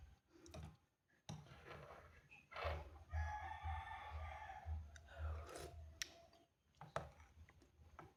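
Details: Rooster crowing on a cool morning: a strong, sustained harmonic crow lasting nearly three seconds, framed by thumps and clattering, with a low hum underneath.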